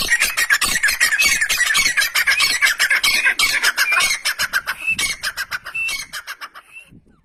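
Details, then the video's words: Partridge from Pakistan giving a fast, loud, raspy run of chattering notes, many per second, gradually slowing and fading toward the end, with a rough grating quality throughout. "Partridge Sound Pakistan"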